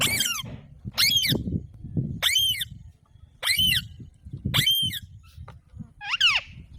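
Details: Alexandrine parakeet giving six loud, harsh, rising-then-falling screeching calls about once per second, each rich in overtones, over a steady low rumbling background.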